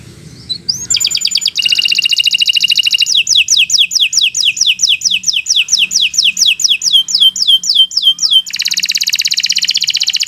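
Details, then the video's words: Kenari Nusantara canary in long, loud training song: a sliding whistle, dense rolling trills, a long series of quick downslurred notes repeated steadily, then a final rapid buzzy trill; faint low hum throughout. "Kicau Burung Kenari 173 II LUAR BIASA GACOR PANJANG Cocok untuk Masteran"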